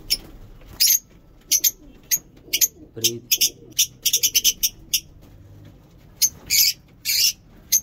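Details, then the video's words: Lovebirds singing in a mini zoo, heard as scattered sharp high chirps and short harsh bursts, some grouped in quick runs, with a low voice-like sound near the middle. "Lovebird ngekek lovebird singing in mini zoo"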